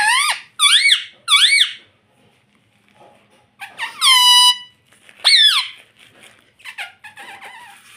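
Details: A parrot said to talk "mummy" utters three quick, identical, arched harmonic syllables in a row, then after a pause a longer steady squealing tone and a sharp downward slide, with soft chatter trailing off.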